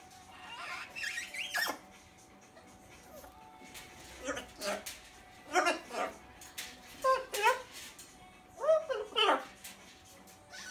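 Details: A one-year-old Rubygold macaw talks indoors, saying "gimme kiss" and the Romanian "ce faci", in short, raspy, speech-like bursts roughly once a second over a faint steady hum.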